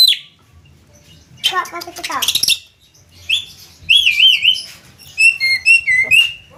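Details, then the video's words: Javan myna (jalak kebo) in konslet gacor style giving scratchy chatter, then looping, warbling whistles and a short run of repeated whistled notes, separated by brief pauses. "Burung Jalak kebo konslet gacor"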